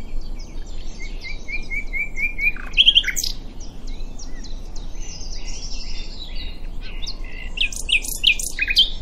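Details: Nightingale at Diddington singing a series of repeated whistled notes that accelerate into sharp chattering phrases, with other birds calling continuously around it.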